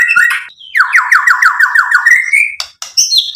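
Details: White-rumped shama (murai batu) song played to provoke and excite: a rapid run of about a dozen repeated descending whistled notes, steadily rising, followed by high sharp chirps.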